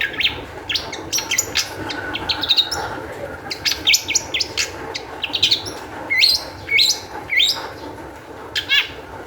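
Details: Fast, agitated Long-tailed shrike song used as a lure to get other shrikes singing: dense rapid chatter of clicks, chirps and buzzy slurs in quick bursts, with louder rasping notes toward the end.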